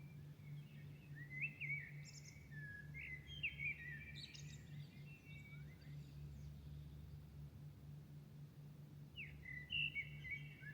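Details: Birds heard at dawn in Milan sing long, varied whistled warbles with thin high notes and scratchy flourishes, break off for several seconds, then return with a rising phrase, while a low hum runs throughout.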